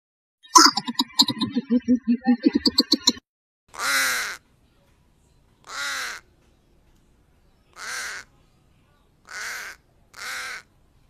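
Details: A black crow gives five harsh, hoarse caws about every two seconds, after a brief burst of busy, chattering calls at the start.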